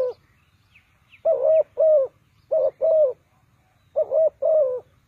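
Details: Spotted dove used to lure birds into a trap, Ninh Thuận: three paired low coos at regular intervals, short then longer rolling notes, with faint high chirps of other birds and low background hum.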